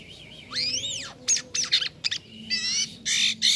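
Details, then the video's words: A jalak kapas starling in gacor song gives an arched, whistled slur, then harsh scratchy bursts and a wavering buzzy note. "JALAK KAPAS KALAU SUDAH GACOR MANTAP JUGA"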